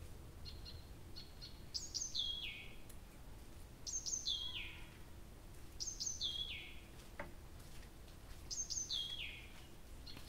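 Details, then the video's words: Nightingale singing at night near Abramtsevo in early June, recording begun at 23:00 on 6 June 2021: high whistled phrases sliding steeply downward, repeated about every two seconds over a steady low background hum. "Соловей поёт всю ночь"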